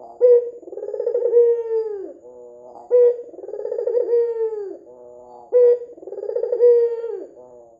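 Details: Red-eyed white dove calling steadily as lure audio: three phrases about every two and a half seconds, each a sharp opening note followed by a vibrating, purring coo that sinks at the end, then a quiet murmur.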